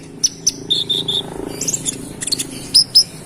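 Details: Konin, or brown-throated sunbird, in full song meant to rile other males: sharp high ticks, three level whistled notes, then scattered thin chirps and two bright whistles near the end over a low background hum.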